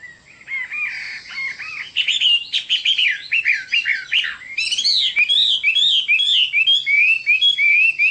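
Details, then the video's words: Chinese hwamei in full song: low slurred whistles building into fast, buzzy, tumbling phrases, ending in a run of bright looping whistles repeated quickly. "Chim họa mi đẹp và hót rất hay"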